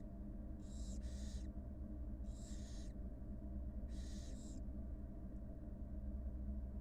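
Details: Barn owl, a wild mother tending two newly hatched nestlings in a nest box on live camera; three paired, noisy hissing rasps arrive about every one and a half seconds above a constant low droning hum.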